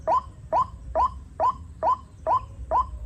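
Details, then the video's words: White-breasted waterhen calling during the rainy season, when chicks are plentiful: seven quick rising notes spaced evenly about every 0.45 seconds, loud and clear above a soft low rumble. "Musim hujan banyak anakan burung ruak-ruak"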